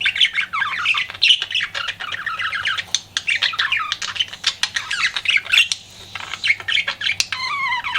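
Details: Flirting pet budgerigar keeps up a nonstop scratchy warble of squeaks, chirrs and clicks, closing with a few clear descending whistled notes.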